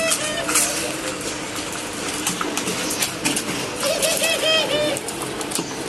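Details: Morning calling from caged pet doves: a brief low coo at the start, then a wavering, rolling coo series about two-thirds through, over a background of clatter and hiss.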